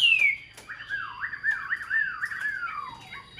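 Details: Tame caged hwamei whistles a clear high note sliding down, then a chain of mellow wavering slurs at lower pitch, dropping away at the close.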